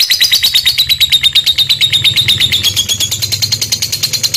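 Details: Lovebird giving a long chattering song (ngekek), used to provoke other lovebirds into chattering: a fast run of harsh, high, clipped notes repeated several times a second, the pitch dipping and then rising, with a low hum beneath.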